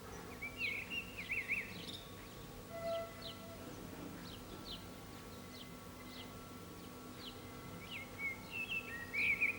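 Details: Blackbird perched on an antenna in Zamudio's San Martín town centre, Txorierri, Bizkaia, 18 April 2019, delivering rich looping whistled phrases at the start and end, with a quiet gap of faint thin chirps between and a distant hum.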